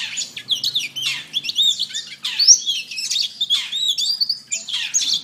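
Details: Canary master song for teaching birds: a dense, continuous warbling of high twittering notes, quick up-and-down slurs and buzzy trills with almost no breaks.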